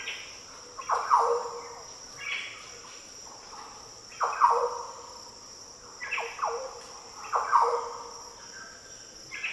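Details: Repeated deep, fluty song phrases of Green Orioles in tropical Daintree rainforest, about every two seconds, nearer and farther birds trading phrases, with steady shrill insects behind.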